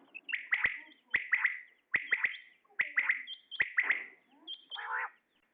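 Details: Common quail, a male, calling: crisp three-note phrases, each a sharp upward-flicked note followed by two quick liquid notes, repeated about once a second, ending in a low gurgle.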